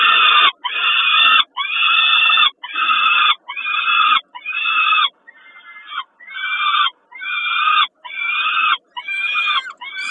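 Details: Peregrine falcon at Kawęczyn during a snack at feeding time, dated 20 05 22: loud, harsh, wailing calls, each about a second long, repeated roughly once per second with short silent gaps between them.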